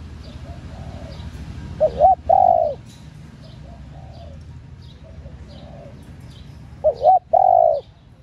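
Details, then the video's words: ['Female spotted dove cooing to stir male doves: two loud phrases about five seconds apart, each quick rising notes then a long coo, with softer distant coos and faint high chirps between.'] "cu gáy CU MÁI.MÁI KÍCH TRỐNG.Tiếng cu gáy mái kích mồi tập bổi,kích bổi ức chế gáy."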